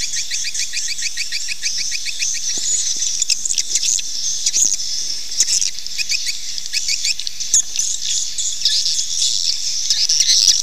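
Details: Swiftlet lure calls meant to draw swiftlets to nest: opening run of quick regular chirped trill notes, then continuous high twittering mixed with dry clicks and crackles.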